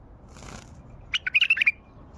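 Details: A wild Baghdadi bulbul gives a quick, bubbly phrase of about seven liquid, warbled notes over half a second, preceded by a soft rustle like wingbeats.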